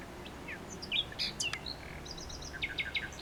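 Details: A common nightingale sings a mix of clear whistles, sharp clicks and a short run of repeated even notes, followed by a few spaced high chirps, over gentle low noise.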